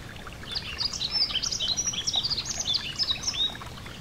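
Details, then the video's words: Over a gentle stream's steady rush, a yellow-throated bunting delivers a continuous string of high, sharp chirps and quick slurred whistles, fast and irregular, for nearly the whole clip. "Relaxing Nature Sounds: A Gentle Stream & The Yellow-Throated Bunting (Emberiza Elegans)"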